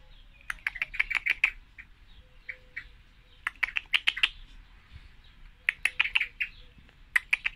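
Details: Female common blackbird giving sharp, dry chinking notes in three quick clusters, each a rapid burst of clicky ticks, with short silent gaps between bursts and a faint low hum beneath.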